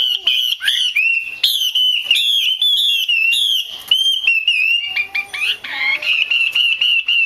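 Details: Female Chinese hwamei, kept to stimulate males to sing: loud, continuous rolling whistles and warbles with quick upward flicks, a brief break of clipped notes, then fluent whistled phrases resuming.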